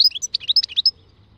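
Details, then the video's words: European goldfinch singing in the khalwi style: a quick, tinkling run of bright, twittering notes and short slurred whistles, about ten syllables packed into under a second, then silence. "Chant chardonneret khalwi"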